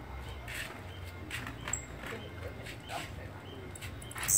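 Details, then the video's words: Blue-black grassquit (Volatinia jacarina, chirrio) song: short, high buzzy bursts repeated about once a second over a low background rumble. "Canto de Chirrio"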